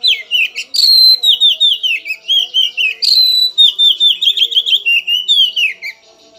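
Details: Agitated Oriental magpie-robin seeking an opponent, singing rapid loud whistled phrases: bright descending slurs and quick trills repeated in bursts, twice dropping from high sharp notes into rolling series, with a faint low steady hum beneath.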